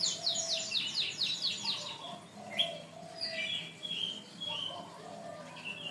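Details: Canary in a long tutor recording used to train other birds: a fast series of high, downslurred trilled notes, then softer scattered chirps and warbled phrases over a low background hum.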